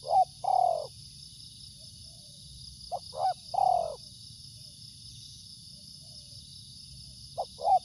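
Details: Spotted dove repeating its three-part coo: a short note, a quick upslurred note, then a drawn-out descending coo. Phrases recur roughly every three seconds, and a constant high-pitched whine runs beneath them.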